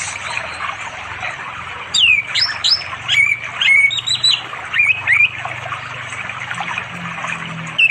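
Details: In forest near a flowing river in rural East Java, an orange-headed thrush sings in the afternoon to attract a female for mating; a three-second burst of varied whistled slurs and trills, then quiet apart from buzzing insects.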